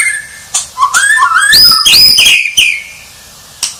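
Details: White-rumped shama delivering a rich whistled phrase that climbs from low notes to high, sweeping bright whistles, with a brief click at the end.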